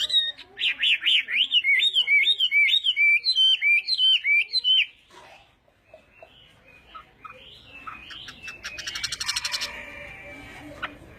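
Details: Chinese hwamei singing its morning voice-training song: a rapid series of loud zigzag whistled notes for about five seconds, then quieter scattered notes and a brief rattling burst.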